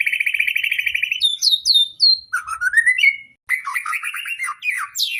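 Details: Contest-pole magpie-robin pouring out a long, varied song. A fast warbling trill opens, followed by clear looping whistles, a rising slurred note and, after a brief pause, more chattering, slurred phrases.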